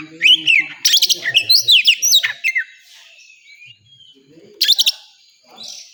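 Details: Oriental magpie-robin at a singing contest site, giving bright, high twittering phrases with rising and falling slurred whistles and clusters of sharp ticks, pausing about two seconds before another burst; soft voices underneath.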